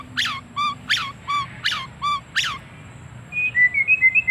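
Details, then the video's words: White-rumped shama making strange sounds: harsh, buzzy chirps alternate with lower downward-sliding notes. These are followed by a quick series of thin, rising whistles. "Murai Batu Suara Aneh"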